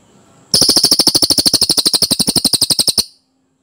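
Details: Clear, dense cililin song played as a model for other songbirds: one rapid rolling trill of about thirty sharp high notes lasting some two and a half seconds, then quiet.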